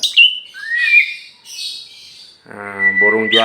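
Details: Tame champion oriental magpie-robin (kacer) from Meulaboh, Aceh, flying free before being hung in its cage: a few thin whistled upslurs and buzzy notes, then a harsh, harmonic nasal sound near the end.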